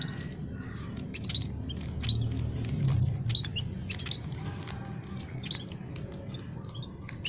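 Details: Munias (Javan, scaly-breasted and white-headed kinds) singing in an aviary, used as a trapping lure: many short high chirps and tweets scattered irregularly over a steady low rumbling background.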